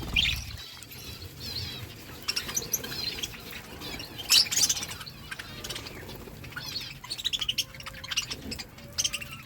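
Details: Budgerigar flock feeding together: a constant busy mix of thin, high chirps and short warbled notes, with sharper clicks and bursts scattered throughout.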